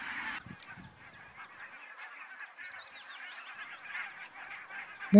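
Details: A spring-migrating flock of barnacle geese in Finland in mid-May fills the air with overlapping short, yapping barks, a continuous chatter. A thin high twittering runs briefly beneath, and a thump comes at the end.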